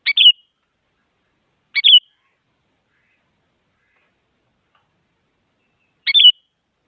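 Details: Lure recording of a female sooty-headed bulbul calling a male, meant to stimulate silent bulbuls: three quick bubbly chirps, the first two under two seconds apart, the third after a four-second gap, in total quiet.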